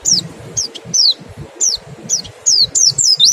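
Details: Mountain white-eye singing in the rapid 'nembak' style with 'ngecal' lure calls meant to make other birds sing: sharp, high descending whistles spaced about every half second, growing denser toward the end.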